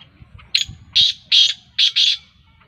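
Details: Kala tetar, the black francolin of Sindhi strain, calling: a short scratchy note, then four loud rasping, buzzy bursts in two pairs over about two seconds, with a faint low ticking in the background.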